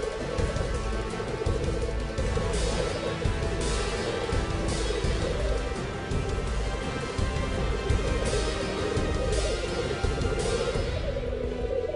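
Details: Steady, full-bodied music plays throughout with a heavy low end, and no clear animal calls stand out above it.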